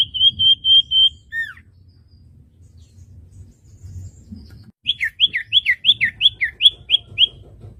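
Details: Common iora (cipoh) song used as a master for teaching young cage birds: a few steady whistled notes and a downslurred note, a quiet gap, then a lively run of rising-falling chirped whistles repeated several times a second.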